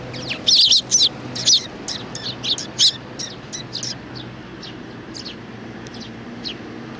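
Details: Loud, overlapping high chirps from sparrows, young ones included, on 27 June 2019 burst out at the start, then thin to scattered softer tweets. A faint low hum runs throughout.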